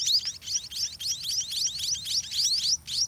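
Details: White-rumped munia chicks in a nest being fed by a parent that regurgitates food: a dense stream of high, thin rising chirps, overlapping and repeated several times a second.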